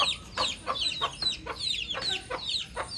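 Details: Baby chick outdoors repeating loud, piercing downward-sweeping peeps, about two or three each second, clear over a quiet background.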